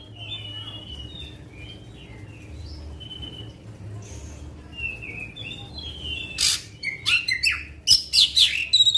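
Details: Black-winged magpie-robin singing long volleys that are used to provoke other magpie-robins. Soft, distant-sounding whistled slurs at first give way to loud, rapid, harsh chattering phrases at the close. A low hum sounds throughout.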